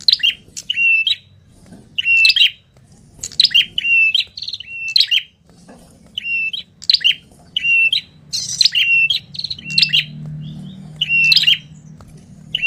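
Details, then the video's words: Ashy tailorbird (red-headed prenjak) calling noisily: loud, sharp, high chipping notes in rapid bursts of two or three, repeated about every second, sounding busy. "suara Burung Prenjak kepala merah ribut (Tenes ribut)"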